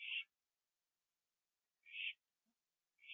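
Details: Owl calling on a porch at 11:15 PM, 21 September 2011, as one finishes eating a gopher; three short, harsh, hissing screeches, evenly spaced about a second and a half apart, with silence between.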